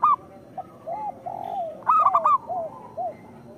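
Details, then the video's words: A local zebra dove sings, in a recording played as a lure to other zebra doves: low, drawn-out, bending coos, then a loud burst of clipped, ringing notes and a few soft falling coos. "Perkutut lokal gacor Suara Pancingan Paling Disukai Burung Perkutut"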